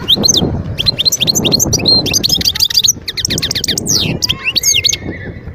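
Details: Wild goldfinch from Skikda, Algeria, 2022, singing tumbling twittering phrases of chips and short trills, ending with a thin, drawn-out whistled note, over steady low background noise.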